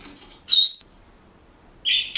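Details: Senegal parrot kept as a pet, whistling as it learns a few bars of a song: a clear, pure, slightly rising whistled note, a pause, then a shorter steady whistle ending in a harsh burst.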